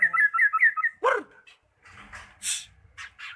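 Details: Lure song of a magpie-robin meant to make a stalled bird sing: a bouncy run of whistled trills, a harsh descending rasp, then scattered buzzy and hissing notes.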